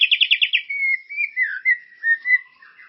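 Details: White-rumped shama bait song meant to stimulate caged birds: a fast buzzy trill of repeated notes, then a series of clear, level and slurred whistles.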